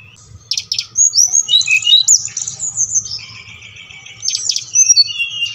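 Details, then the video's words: Brown-chested jungle flycatcher song for prompting captive birds to sing: high sliding whistles and scratchy bursts, then a steady held lower tone and a final rising whistle, with a soft low hum behind. "Sikatan Rimba Dada Coklat | putar ini pasti SRDC anda ngamuk gacor dengan suara ini"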